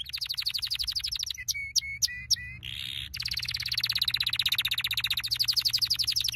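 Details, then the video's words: Canary training song: fast pulsed trills, a cluster of sharp chirps and a brief buzz, then a long steady run of rapid repeated notes. "Your canary will NEVER STOP SINGING With this training song"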